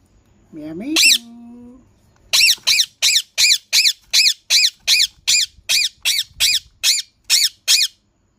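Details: Green parrot opening with a short, low, whistled rising phrase, then breaking into a long run of about fifteen grating squawks at an even, quick pace.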